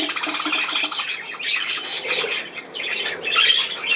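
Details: Playing pet budgerigars. A quick run of buzzy chirps opens the recording, followed by looser, higher chattering squawks that rise and fall.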